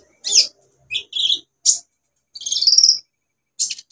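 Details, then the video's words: Vigorous olive-backed sunbird song with fill-in phrases, played as a lure for birds that have gone quiet: scattered high, sharp chirps and a short buzzy warble, separated by brief silences. "KOLIBRI NINJA SUPER GACOR NEMBAK ISIAN BUAT TERAPI PANCINGAN KOLIBRI NINJA MACET BUNYI"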